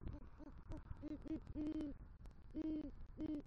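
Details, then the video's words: Great horned owl male, rodent prey in hand at a southwest Florida nest, calling for the female in November 2023: a fast string of short low hoots, then several longer, fuller hoots spaced about half a second apart. "Male GHO Brings Rodent Prey To Nest & Calls For Female"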